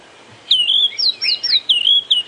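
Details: Recording of the white-browed scrub robin's most common call, played during a morning safari drive at Djuma Game Reserve on 15 March 2016: a rapid run of high, thin whistled phrases, slurred up and down, about eight notes in under two seconds.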